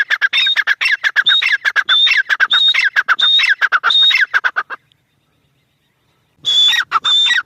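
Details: Grey francolin delivering a rapid string of loud, harsh phrases, each with a high sustained whistle and falling squeaks, then silence for over a second before calling again.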